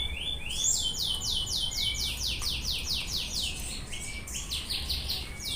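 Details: Brown-throated sunbird song used as a lure to rile other sunbirds: a fast series of high, sweeping downslurred notes repeated in a steady run, then scattered chirps, over a low background hum.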